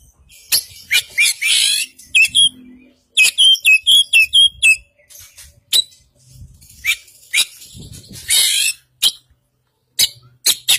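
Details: Oriental magpie-robin of the Kacer Poci, white-breasted form, from East Java, singing a varied full isian song: high sharp whistles, buzzy rasping bursts and a run of about six quick repeated whistled notes.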